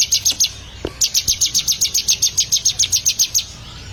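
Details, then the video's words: Bar-winged prinia (ciblek) trained for song: a few high chips, a short break with a low click, then a long steady run of sharp, evenly paced notes. "Melatih Burung Ciblek Agar Gacor"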